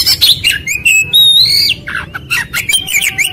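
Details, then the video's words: White-rumped shama lure song: long clear whistled notes sliding upward, mixed with rapid chirps and scratchy notes, very high and loud, steady low hum in the background. "MASTERAN PANCINGAN KACER CEPAT RESPON NGOBRA"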